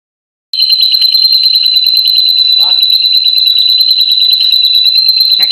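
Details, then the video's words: White-rumped shama singing vigorously, imitating a lovebird: a loud, continuous high buzzy trill starting after a short silence and held steadily to the end, with a few faint clicks underneath. "Murai Gacorrr Tembakan Love bird"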